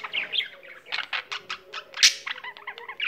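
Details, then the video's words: Singing pet budgerigar gives a short burst of chirps and scratchy notes with one sharp squeak and quick wavering whistles at the end, over a faint steady hum. "il cocorito canterino"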